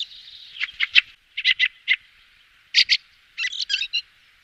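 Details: Fieldfare thrush calls: a soft rasping start, then harsh chack notes in pairs and triplets separated by short silences, ending in a scratchier chattering cluster.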